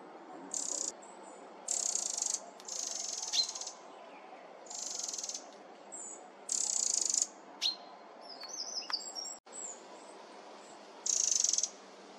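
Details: In summer, loud, fearless Eurasian Wren chicks (Troglodytes troglodytes) beg with high, hissing bursts of half a second or more, repeated about every second and a half, with a few thin chirps in between.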